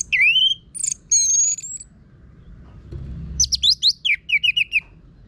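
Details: Caged Orange-headed thrush, anis merah, with a rough-voiced song meant to prompt other birds to sing; sweeping whistled slurs and a long clear note, a pause, then a quick series of sharp descending chips.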